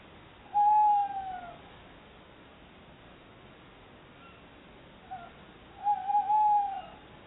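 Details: Pair of tawny owls in Somerset chattering to each other while looking for a new nesting site at a nest box. Two smooth, tonal, drawn-out calls with a faint overtone, about five seconds apart, over a quiet background.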